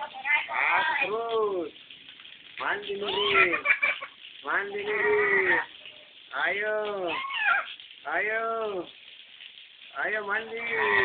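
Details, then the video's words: Lory imitating a baby's cry: repeated wailing, crying-like calls with harmonic arching tones, each lasting about a second, separated by short pauses; a person speaks nearby. "Burung nuri suara bayi"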